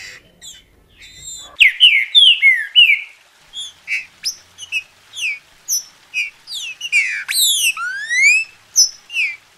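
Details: Green-winged saltator kept in captivity in Brazil, meant to prompt another bird to sing: a loud chain of slurred, whistled notes with one high rising sweep, given in irregular quick succession.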